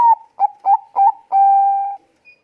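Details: Zebra dove of the Bangkok strain, calling eagerly with a thick voice: a falling note, three short emphatic hoots, and a long even coo held for over half a second.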